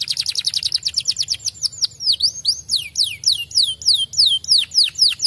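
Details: Fighter canary singing a song meant to prompt other canaries to reply: a fast run of high descending whistled strokes, then slower, deeper swooping notes repeated about four per second.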